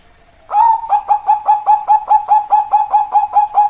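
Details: Zebra dove song after a faint lead-in note: a fast, steady run of about fifteen short, rich coos at one even pitch, roughly five each second. Nothing else can be heard behind the bird.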